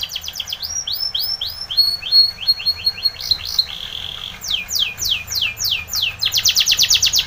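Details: Spanish Timbrado canary singing for training: a chain of upslurred whistles, a short buzz, then loud rapid falling notes and a dense metallic trill at the end.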